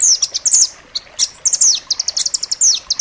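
Nuthatch song: a dense run of sharp, very high chirps and short falling notes, packed several to the second with hardly a pause.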